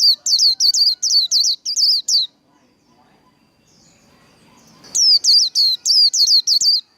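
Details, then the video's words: White-eye singing the líu đấu competition song: rapid bursts of high, down-slurred whistled notes in two runs split by a quiet gap, over a faint steady high tone. "Vành khuyên líu đấu. Kích lửa vành khuyên líu đấu"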